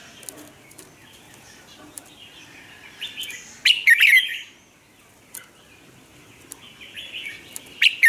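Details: Vietnamese caged lure Red-whiskered bulbul singing to prompt newly caught birds: soft chattering lead-in, then a loud rich warbled phrase with sharp accents, a quiet gap, and another phrase starting.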